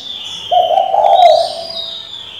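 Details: Female spotted dove cooing to provoke a decoy male: a single low, rough coo lasting about a second, over a steady high-pitched whistling background.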